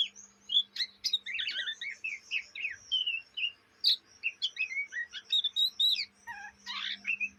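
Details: Juvenile Oriental magpie-robin (kacer) in Indonesia chattering ngriwik: lively, continuous mix of bright whistles, rasps and sharp ticks, including a buzzy burst near the end, with a low steady hum beneath.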